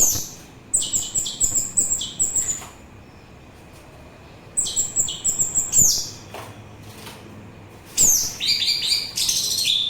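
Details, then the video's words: Orange-headed thrush song, used as a calming sound and lure: two similar runs of fast repeated high chips with a thin whistle, about five seconds apart, then a sweeping high flourish, over a quiet hum. "Begitu Syahdu Suara Anis Merah"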